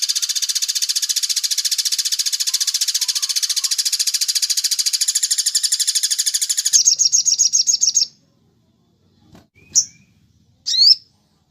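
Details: Crimson sunbird training song in the tembak cililin style: a long, dense, high buzzy trill of fast repeated notes, then a brief chattering burst and a few isolated sharp chips after a pause.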